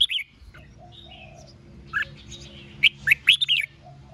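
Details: Red-whiskered bulbul challenging rivals with competitive song: a bright opening note, soft whistles, then a lively burst of rapid warbled chirps near the end over faint low hum.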